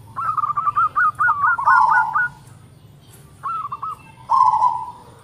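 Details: Local zebra dove sings its tight-noted song: about ten quick rising notes blend into a rolling coo, silence, then a few more clipped notes and a final long purred coo.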